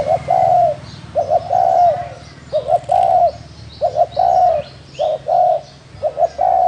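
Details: Spotted dove, described as a wild field bird, giving a steady series of low coos; each phrase starts with two short hoots and ends in a drawn-out falling note, about six phrases, with faint chirps higher up.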